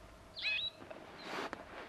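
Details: In Timbavati Private Nature Reserve, greater Kruger, a wild brown-headed parrot, the area's only parrot species, gives a single shrill, slightly harsh chirp with a clear whistled tone, then a burst of broadband noise.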